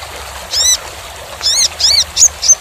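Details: Kolibri ninja sunbird singing on a training recording: several loud, arching, harmonic chirps spaced about half a second apart, then two thin, very high whistled notes near the end, over a quiet background hiss.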